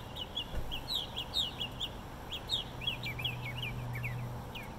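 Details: Northern mockingbird singing a melodic song from a light fixture in Bluffton, South Carolina: a quick varied run of sharp chirps and rising slurred notes, with a steady low hum beneath.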